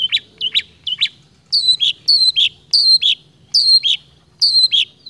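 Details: Steady imitative song of a long-tailed shrike: a few clipped whistles, then five evenly spaced loud paired notes, each a high chirp dropping into a lower slur, repeated about every seven-tenths of a second.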